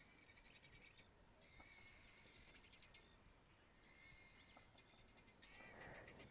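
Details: On an early summer morning at Welgevonden, several guineafowl alarm at an African hawk-eagle perched atop a dead tree, in harsh, rapid cackling of clipped metallic notes in rattling, overlapping bursts over a faint outdoor hiss.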